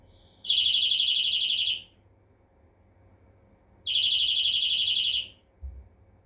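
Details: European greenfinch delivering two buzzy, fast-pulsed trills about three seconds apart, the first preceded by a short soft note; a low thud sounds near the end.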